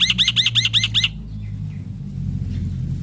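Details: Male black-winged myna singing loudly, used to spur lazy mynas into song: six quick harsh chattering notes, each sweeping downward, in one second, then near quiet with faint distant chirps and a low hum.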